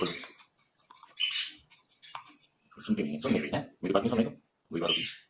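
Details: A female pet Congo African grey parrot talks, chattering in speech-like phrases: a few short bursts, then four voiced, word-like bursts with brief squeaky notes between.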